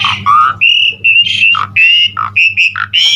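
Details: Gacor Asian pied starling (Jalak Suren) with full isian: rasping, nasal squawks and buzzy sustained notes traded with lower grating calls in a quick irregular rhythm, low electrical hum throughout.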